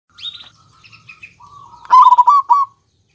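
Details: Local zebra dove, male and female, singing; faint high chirps and short trills, then a long level mid-pitched coo leading into a loud burst of rapid, stuttering rolled coos.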